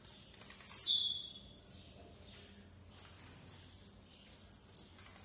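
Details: A blue-black grassquit gives a loud descending buzz, then repeats short piercing high notes, first spaced out and later quickening into a fast series.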